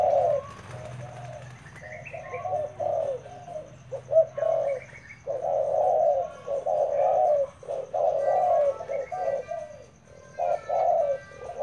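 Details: Decoy spotted dove cooing in long bouts of low, gruff notes, phrases running together then pausing, with thin higher chirps from other birds and a low hum underneath.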